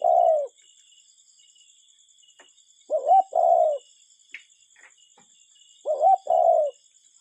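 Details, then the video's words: A cuckoo gives its two-note 'cu-coo', the first note higher and the second falling lower, repeated about every three seconds over a steady high insect hum. "Cuckoo Bird Sound"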